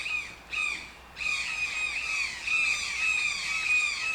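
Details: Toucan starting with two separate croaking squawks, then breaking into a rapid, continuous series of harsh, nasal calls.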